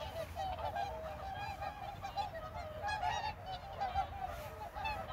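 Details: A flock of whooper swans (Cygnus cygnus) at Baedalji reservoir keeps up a steady chorus of overlapping, trumpeting honks, several calls a second, over a low background rumble.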